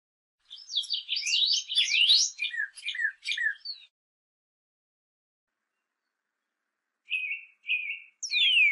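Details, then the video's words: A saffron finch (Sicalis flaveola) sings: a rapid, jumbled run of high chirps and slurred notes, a pause, then a few clipped, repeated notes. "CANARIO CRIOLLO (SICALIS FLAVEOLA) VS (MIMUS POLYGLOTTOS) ¿CUAL ES MAS HERMOSO?"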